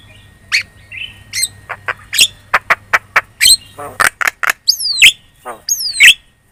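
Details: Lure song of a Javan myna, chattering and vocal, used to draw replies from other birds: quick series of sharp clicks and squawks ending in two loud descending whistles, low hum in the background.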